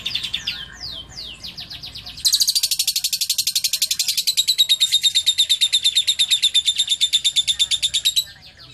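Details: Lovebird song with cililin material, clear: after a few quick descending chirps comes one long, loud, high trill of fast even pulses, about six seconds unbroken, steady in pitch and ending abruptly.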